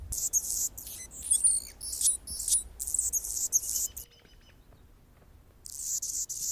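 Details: Perched on a branch in San Francisco's Golden Gate Park, California, an Anna's hummingbird sings a long run of high, dry, sputtering buzzes and squeaks, pauses briefly, then resumes with another scratchy burst.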